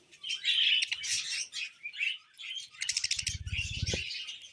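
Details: Tame pet budgies give bursts of high chattering chirps and warbles, broken by short gaps, with a burst of rapid fluttering and rustling near the end.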